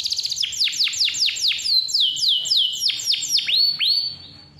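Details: Canary in vigorous, clear-voiced song, used as a lure for young or lazy canaries: a rapid series of loud, high whistled notes sweeping steeply downward, each a fraction of a second long, fading at the end.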